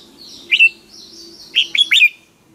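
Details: Morning training song of a red-whiskered bulbul, played as a decoy to stir other bulbuls to sing: a clear two-note whistle, a pause, then a quick three-note warbled phrase, over faint high chirping.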